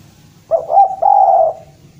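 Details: One phrase from a spotted dove from Java calling a rival: two or three short, rolling coos, then a longer, even, slightly rough note that fades away; quiet background.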